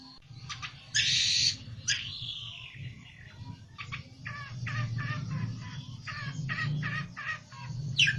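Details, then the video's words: Olive-backed tailorbird singing while seeking a rival: a loud buzzy burst near the start, then short, sharp, high notes repeated in quick runs about twice a second, over a steady low hum. "PELENTET NGAMUK CARI LAWAN!!!"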